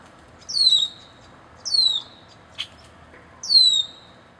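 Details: Red-winged blackbird in Canada: three clear, high, downslurred whistled calls, each about half a second long and spaced roughly a second apart, with a brief click between them and a quiet background.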